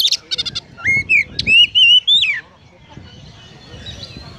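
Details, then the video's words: Energetic magpie-robin song with imitated house sparrow chirps: rapid stuttering chatter at the start, then a run of loud, sliding whistled notes, fading into quiet background noise. "Kacer Konslet Full Isian Burung Gereja | Magpie Robin Singing"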